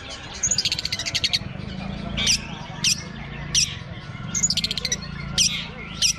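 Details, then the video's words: Long-tailed shrike at a bird singing contest, perched on a hanging pole: rapid bursts of harsh, buzzy high notes alternate with short sharp chips every second or so, over a low hum of background noise. "Tampilan real lomba burung cendet diatas gantangan"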